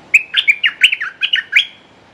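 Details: Red-whiskered bulbul used as a decoy, calling to lure a territorial wild bird; a lively phrase of about eight quick, bright chirped notes, warbling up and down, lasting under two seconds, over a quiet background.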